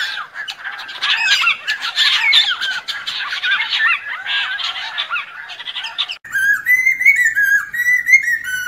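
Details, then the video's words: Lesser necklaced laughingthrush singing, a recording used as a lure for trapping: six seconds of dense, overlapping harsh chattering and squawking notes, then a run of clear, ringing whistled notes with slight downward slurs. "Khướu cổ khoang hót để bẫy"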